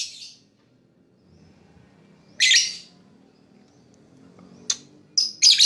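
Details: Lovebird chirping meant to attract other birds: scattered harsh, high squawky chirps with long gaps, one loud rasping note midway and a quick burst of sharp notes at the end.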